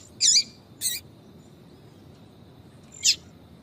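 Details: Calling to draw males, a female yellow-bellied seedeater gives two quick high, slightly buzzy chirps, then a pause and a single sharp downslurred note.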